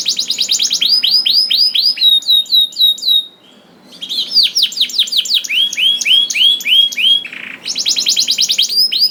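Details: Canary song used as a masteran to prompt other canaries to sing: rapid tours of repeated descending whistled notes, high trills and buzzy rolls, with a short pause near the middle.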